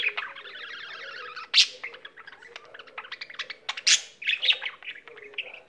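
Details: Domestic budgerigar singing: opens with a rapid rhythmic trill, then clicking chatter, harsh bursts and squeaky warbled notes.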